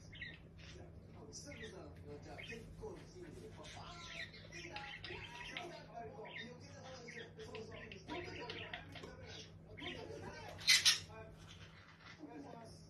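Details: Two pet white-bellied caiques, described as close brothers, chatter in quick, squeaky chirps and clicks, with a sharp, shrill screech near the end; faint voices may sit underneath.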